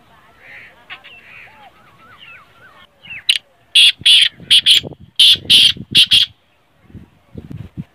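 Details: Black francolin call: several rapid series of loud grating notes in quick pairs, preceded by soft looping whistles of other birds and followed by faint low rustling.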